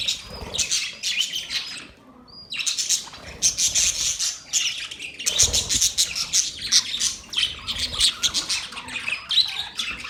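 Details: Budgerigars chattering in dense, raspy bursts of chirps and squawks, with a quiet pause near two seconds broken by one whistled note, then continuous lively twittering.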